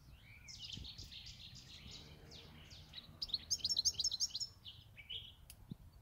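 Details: European goldfinch kept for eight years gives soft scratchy twittering, then a louder sparkling burst of rapid high notes lasting about a second, with a sharp click near the end.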